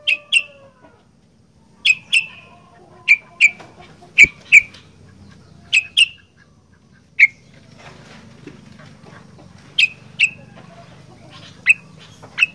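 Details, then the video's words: Sooty-headed bulbul in vocal 'gacor fighter' style: sharp, loud chirped notes, mostly in close pairs, repeated every second or two over a soft low hum, with faint chatter in the background. "Burung Kutilang Gacor Fighter"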